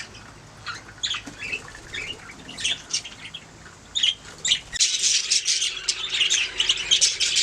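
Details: Several budgerigars singing and chirping, first with scattered short squawks and chirps, then from about five seconds a continuous, loud, scratchy warbling chorus of rapid high notes.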